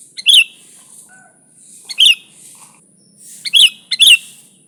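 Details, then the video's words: Lure recording of a lively sooty-headed bulbul: loud clipped chirps come in twos and singles, each led by a short grace note. Faint low whistles fall between them, over a constant thin high hiss. "Suara Burung Kutilang Gacor ASLI Tanpa isian, Ampuh untuk Pikat bikin kutilang Ribut gacor"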